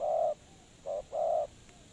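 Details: Spotted dove call used as a lure for trapping: a long low coo, then a short coo and another long coo, all low and mellow, over faint steady background hiss.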